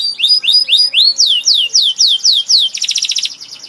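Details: Canary sings a string of loud, evenly spaced down-slurred whistles, about four per second, then switches to a rapid buzzy trill.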